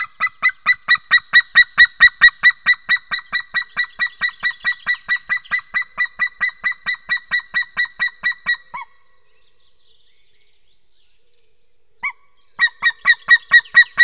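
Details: White-tailed eagle at a nest cam on April 28 as hatching is under way and the first eaglet has hatched: a long series of loud, yelping, goose-like notes, about two per second, a pause of a few seconds, then more.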